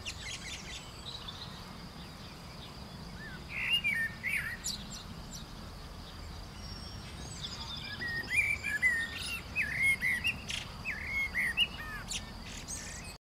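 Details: A Eurasian blackbird (Turdus merula) sings among flowering black locust clusters in April: mellow, fluty warbled phrases ending in thin, squeaky high notes, several seconds apart, over a steady background hiss.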